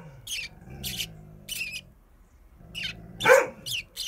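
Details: Pet sparrow set out at a front entrance to sunbathe, while a dog barks at it nonstop: short bright chirps repeated about every half second in bursts, with a loud dog bark in the middle and a low hum underneath.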